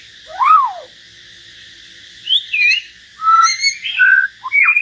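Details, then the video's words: Common hill myna in a singing match with a white-rumped shama, heard as an arched whistled swoop followed by twisting slurred whistles and bright, clear notes in quick bursts. "Chim nhồng và choè lửa hót solo"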